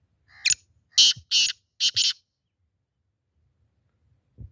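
A black francolin gives one harsh, grating phrase of about five rasping notes in under two seconds, followed by silence and a soft thump.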